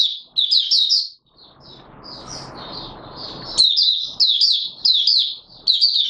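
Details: Oriental white-eye (Mata Puteh Raja) opening song, 24 March 2022: high, rapid twittering bursts, a quieter softer stretch with background hiss, then renewed lively chattering phrases.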